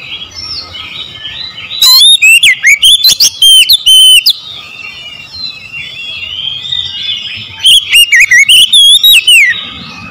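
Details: Oriental magpie-robin delivering two vigorous phrases of shrill, quickly repeated whistles with rising and falling slurs, several seconds apart, over a steady murmur of faint background chirping.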